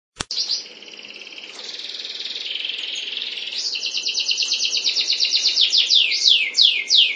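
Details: Song of a canary from a breeding pair. After a sharp click, a buzzy high warble holds steady, then gives way to a fast run of repeated notes. These speed up and break into bright, steeply falling sweeps.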